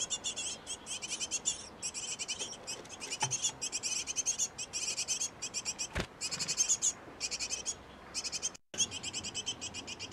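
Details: Inside a nest box used by a pair of great tits raising young, almost continuous volleys of sharp, high-pitched, rapidly pulsed chirping, broken by short gaps and a couple of faint knocks.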